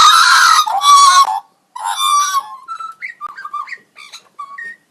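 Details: Magpie voicing unusual robot-like sounds, opening with loud harsh buzzy bursts, then softer short whistled notes at varied pitches with small gaps between.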